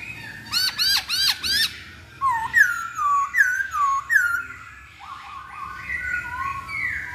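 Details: Masked laughingthrush lure song to make a bird sing: four harsh repeated upswept notes, then a run of bright falling-and-rising whistled phrases, ending in softer drawn whistles.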